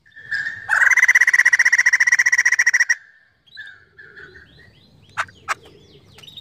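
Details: White-crested laughingthrush in lively song as a lure for other birds: a short whistle, then a two-second fast pulsed rattle, softer warbled notes, and a few sharp isolated chips over quiet rumbling.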